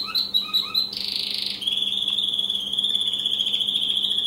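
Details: Caged American Singer canary song: a few quick chirped notes, a short harsh buzzy burst, then a sustained fast, even rolling trill at steady pitch; low constant hum in the background.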